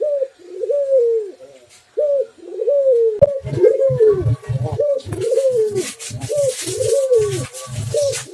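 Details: Spotted dove song in two unusual voices: low repeated coos, short and long notes alternating, joined midway by deeper rumbling sounds and a loud hissing noise in the final seconds.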